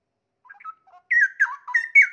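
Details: Straw-headed bulbul kept in a cage, in full voice with forest-song fills while its tail feathers regrow; soft opening notes, then a burst of loud, gurgling whistled phrases sliding up and down.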